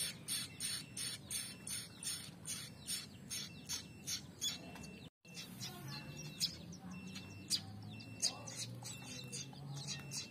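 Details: A pair of young prinias becoming active, giving rapid high chirps. The chirps repeat about every third of a second, pause briefly, then continue more irregularly against a soft rural background noise.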